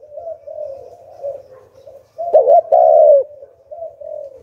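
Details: Decoy spotted dove calling in the Hạp Bổi voice style to lure wild doves: a run of soft, low warbling coos, then one loud two-part coo with a short hooked note and a longer full note, then soft coos again.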